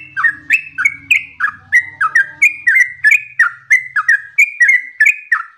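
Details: Yellow-vented bulbul giving its energetic ropel song: sharp, bright whistled notes that rise then fall, strung together in a rapid continuous sequence, with faint low buzzing at the start.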